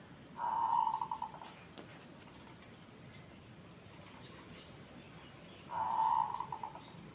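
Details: Zebra dove, an unusual-voiced and tireless caller often heard before dawn: two bursts of hollow cooing, each a held note breaking into a rapid roll of pulses, separated by about four seconds of hiss.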